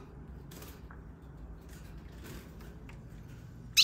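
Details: Only low background hiss with a few faint rustling bursts and a sharp click at the very end; no animal calls can be made out.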